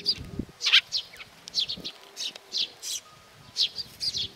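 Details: Sparrows coming for food at Tenmangu shrine, Nakanoshima, on 7 June 2020, giving irregular high chirps, some loud and sweeping, with brief low rustling sounds in the background.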